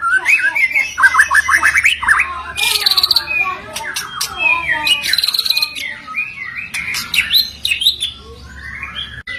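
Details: Varied white-rumped shama song played to stir stuck, stressed shamas into singing. Quick chattering runs, sharp high notes and warbled whistles alternate, with brief pauses and a low hum beneath.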